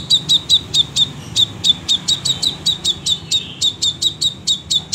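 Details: Crimson sunbird singing actively: evenly spaced sharp high chip notes, roughly four each second, continuing without a break; faint low hum underneath.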